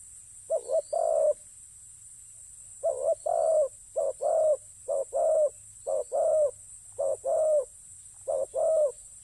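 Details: A spotted dove, in a ground decoy setup, repeats soft throaty coos in pairs, a brief note then a longer rolling one, about seven phrases with even spacing and little other sound.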